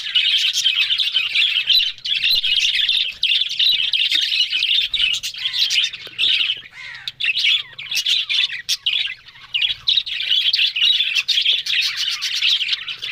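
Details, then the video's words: A group of budgerigars on October 1 keeps up long stretches of bubbling, squeaky warbling with quick clicks, broken by a few short lulls before the chatter swells again. "Beautiful Budgerigars Talking"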